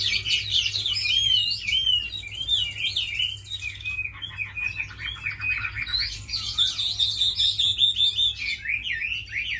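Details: Chinese hwamei, a tame, well-singing fighting bird, producing fast looping whistled phrases, then a rattling stuttered section, then renewed bright swooping whistles toward the end.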